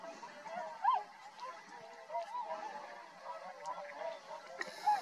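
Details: Tundra swans calling at Rosedale and Munson, Drumheller, Alberta, Canada: one loud arched honk early, then lower murmured flock honking and a final clearer honk.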